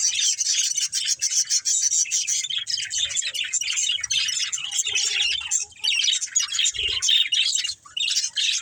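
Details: Pet budgerigars at play and feeding chirp and squawk nonstop in high, buzzy, overlapping twitters, with a few soft low thuds.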